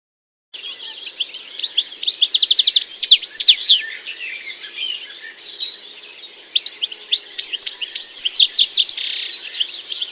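European Goldfinch song: a fast, liquid, tinkling run of high twitters, trills and buzzy notes, flowing on without pause for about ten seconds.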